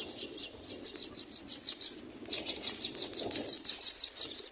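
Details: Four young mynas in a nest beg for food with a fast, steady series of shrill chirps, about three per second, broken by one short pause before resuming more loudly.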